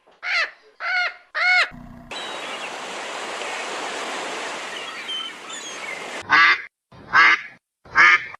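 Goose honking: six loud nasal honks, three close together then a gap and three more, split by a long stretch of broadband hiss with faint chirps.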